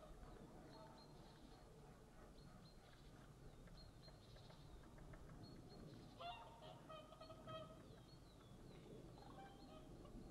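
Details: Whooper swans passing overhead above a feeding area shared with breakfasting ravens, 27 February 2012; scattered nasal honks early on, then louder, clearer trumpeting bugles around the middle and near the end, over low rumbling background noise.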